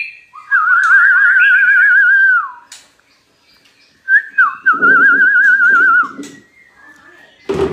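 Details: White-rumped shama song played as therapy to get other shamas singing: long warbling whistles with rapid vibrato near the middle of the range, two phrases separated by a pause, brief knocking sounds at the end.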